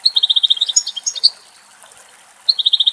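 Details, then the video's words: Wild European goldfinch in Greek nature, recorded in the area where it was filmed: rapid strings of even, bright notes repeated about twenty times a second, broken by higher tinkling twitters, then a short pause before another fast run. "Καρδερίνα Κελάηδημα - European goldfinch song"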